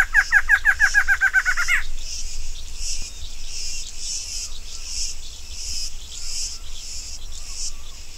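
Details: Female barred antshrike calling: about a dozen quick, hooked notes that accelerate and run together, lasting under two seconds. A constant, shrill insect drone follows and fills the background.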